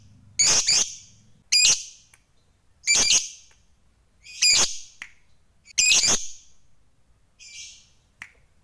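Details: Lovebird of the fighter type kept by hobbyists, calling to provoke rivals: five shrill, high squawking chirps spaced about a second or more apart, each a short harsh burst, with a fainter call near the end.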